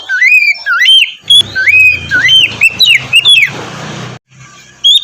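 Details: Morning song of an Oriental magpie-robin (kacer), used to stir a lazy bird into full song. Looping, slurred whistles rise and dip in quick succession over a steady low hum, ending in a brief pause and one last whistle.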